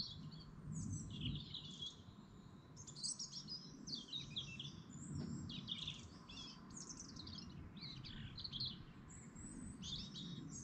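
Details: Dawn chorus at a lake in the Lake District National Park: dense, continuous high chirping, trilling and warbling from many birds, bursts every second or so, over a noticeable low rumble of wind or water.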